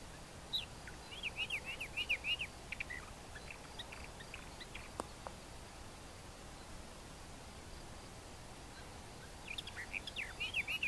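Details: Orphean warbler (Eastern or Western) singing: a quick run of warbled, looping phrases near the start, a long gap, then another rapid warbled burst at the end, all over a steady hiss of background noise like wind.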